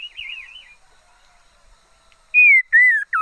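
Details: Red-faced liocichla decoy bird giving a short wavering warble, a pause, then two loud descending whistles and the start of a swooping note.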